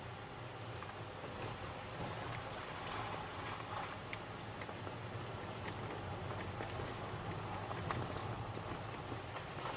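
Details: Faint outdoor background hiss and low hum with scattered soft ticks, but no clear animal calls.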